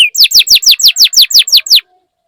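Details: Lure song of a canary, used to stimulate other canaries: a rapid, even string of about ten loud, sharply falling whistled notes, then silence.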